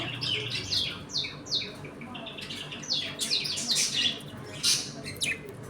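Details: Home colony of budgerigars eating, playing and squabbling, with overlapping chirps, harsh squawks and fast downward-sweeping notes forming a busy continuous chatter.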